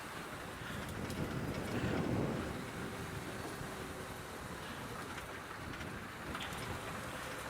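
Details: Low rumble of a vehicle engine at sunrise, with wind noise across the microphone and no distinct animal calls.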